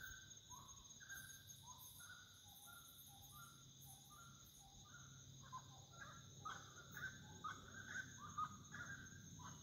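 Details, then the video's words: At dusk, a wood rail gives a rhythmic run of short hollow notes, quickening and growing louder toward the end, against a constant shrill chorus of insects and faint low rumble. "O canto da SARACURA na boca da noite"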